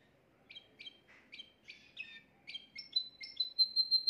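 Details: Timbrado canary, the owner's best singer, recorded at home the day before, singing a faultless song meant for teaching young canaries: spaced bright chirps, some upswept, quickening into a steady high whistled note that pulses rapidly at the end.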